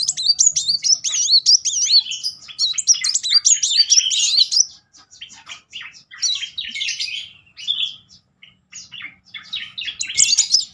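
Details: Van Hasselt's sunbird pouring out 'nembak' bursts, played as a lure to rouse young or non-singing sunbirds: a wavering high warble for four seconds, then scattered sharp chirps and squeaky twitters.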